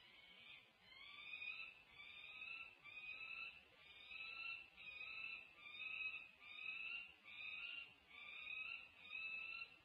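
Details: Female peregrine falcons on a nest tower at UC Berkeley, 20 June 2024: a long run of rasping, harmonic calls, each lasting under a second and repeated steadily, swelling and fading in waves.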